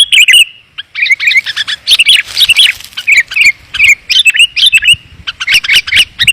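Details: Sooty-headed bulbul lure sound, dense and clear, for calling down wild bulbuls: an almost continuous stream of busy chattering chirps and warbled phrases after a short pause at the start.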